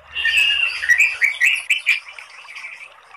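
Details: White-rumped shama song used as a lure to provoke singing: a dense run of chattering, warbled notes that fades into a quieter rattle.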